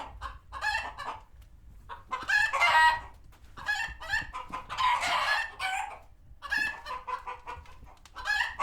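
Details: Chickens at a farm sanctuary retreating to coops after a hawk appears; loud prolonged cackling bursts mixed with steady short clucks and faint low background rumble.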